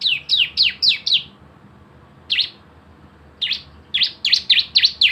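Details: Javan white-eye in rapid 'nembak bren' style, played as a lure so birds start singing: five fast descending chirps, a pause broken by single notes, then a renewed quick series of bright high chirps.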